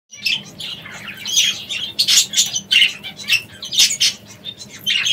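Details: Parrots kept in a home aviary in Italy, a busy chorus of harsh, squawky and chirping calls overlapping in quick bursts, high-pitched and loud, with no pauses throughout.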